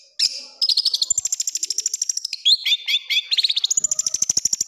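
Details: Cendet, the long-tailed shrike, in gacor song full of rough 'tembakan' shots: a long run of rapid, evenly spaced high ticking notes, broken midway by a few louder dropping chirps, then more rapid ticking.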